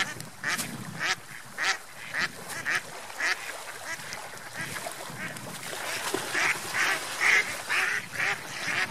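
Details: Ducks swimming and playing on a lake give a steady run of harsh, nasal quacks, roughly two per second, growing louder and denser toward the end over a soft watery background.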